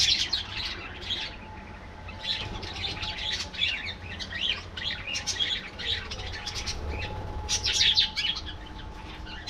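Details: A colony of aviary budgerigars singing: continuous busy warbling of high chirps and scratchy trills from several birds at once, with louder clusters near the end and a faint steady tone in the background.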